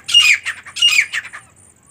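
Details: Female partridge calling with rough, scratchy squawks, two similar phrases roughly 0.7 seconds apart, each a loud harsh note followed by two or three fading raspy syllables.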